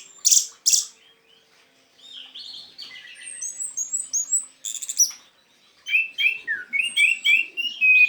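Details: Orange-headed thrush in teler song, offered as a lure for a thrush that has stopped singing. Two sharp high bursts open, then sweet whistles, high thin slurs and a dense series of quick rising and falling notes after a brief gap.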